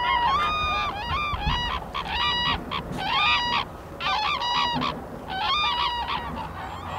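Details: In Bhutan's Phobjikha Valley, wintering black-necked cranes forage and call in a noisy series of bugled, trumpet-like notes, several birds overlapping, with a short lull near the middle and constant low background noise.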